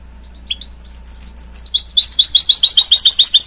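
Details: Song of a goldfinch-canary hybrid mule starts with scattered thin chirps, then builds into a loud, rapid stream of high twittering trill notes, about three per second at first, then quickening.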